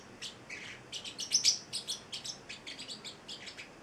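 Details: Eight-week-old male Celestial Parrotlet chattering rapidly indoors: quick, high, scratchy chirps, roughly four per second, peaking in loudness partway through and then tapering slightly.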